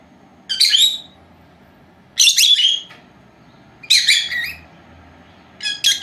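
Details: Two pet female lovebirds aged four months, napping indoors, letting out short buzzy high squawks about every one and a half to two seconds, separated by quiet gaps with low room hum.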